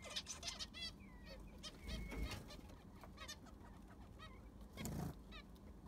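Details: In an aviary being cleaned and given new sand, zebra finches utter honking nasal beeps and a few longer buzzy notes, spaced irregularly, with occasional dull knocks and rustling underneath.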